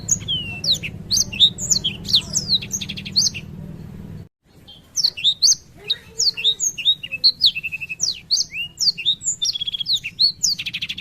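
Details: Long-duration ngerol song of a Black-throated canary: fast bright twittering phrases with sweeping whistles and short buzzy trills, a brief silent break midway, then the rolling song resumes as busy as before.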